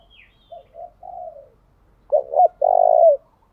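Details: Soft gù murmurs from a decoy spotted dove luring wild doves, rising into a loud phrase of two short hoots and a sustained low coo. A brief higher chirp opens the recording.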